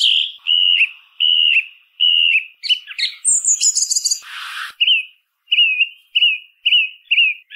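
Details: A song thrush repeats a ringing whistled note several times, breaks into a high scratchy jumble with a brief rushing noise, then returns to repeated short whistles.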